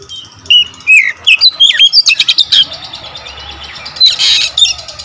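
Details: Kacer, or Oriental magpie-robin, in lively song with closely packed delivery and a full variety of fill-ins: a run of bright whistled notes and sharp chips, then a harsh scratchy burst, over a quiet low background hum.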